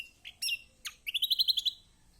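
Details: Kecial kombok, a white-eye, singing as a lure to get idle birds singing: sharp high chirps, then a rapid even trill of about eight bright repeated notes.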